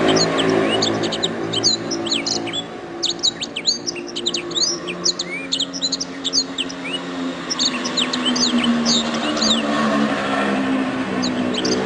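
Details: Canary song for a songbird training recording: long runs of quick, high chirps and slurred notes with few breaks, over a steady low background hum.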